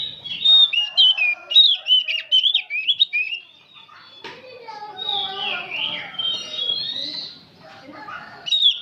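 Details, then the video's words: An old oriental magpie-robin chattering without stopping: three seconds of loud, fast, varied whistled and warbled notes, then a softer, smeared passage of mixed sliding whistles and background sound. "Kacer tua jiwa muda nyerecet bunyi tanpa henti"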